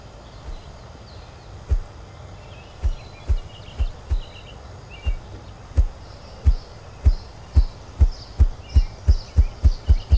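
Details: Ruffed grouse giving deep, muffled thumps that start slowly, about a second apart, then speed up steadily into a rapid roll near the end; faint high bird calls in the background.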